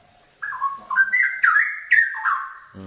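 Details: Straw-headed bulbul singing about 2 meters away: a loud, liquid run of rich whistled phrases stepping up and down and bubbling into warbles for about two and a half seconds, closing with a brief low buzzy sound.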